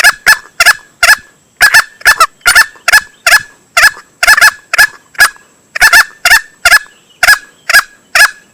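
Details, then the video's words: Male green junglefowl crow played as a hunting lure. Rough, punchy calls come in quick pairs and singles, a steady run of harsh bursts for over eight seconds, with a faint constant high tone behind them. "Suara pikat ayam hutan hijau jantan"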